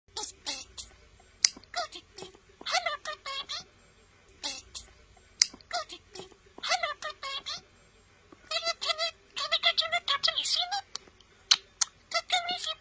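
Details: A male budgerigar kept as a pet chatters at his toy in rapid, scratchy bursts of mimicked speech mixed with high chirps and clicks.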